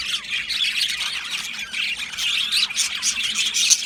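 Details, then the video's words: Australian budgies, described as happily singing and chirping, in an aviary colony: a dense, unbroken chatter of scratchy, high chirps and warbles from many birds at once, overlapping throughout with no pauses and no other clear sounds. "Australian Budgie singing and chirping sounds"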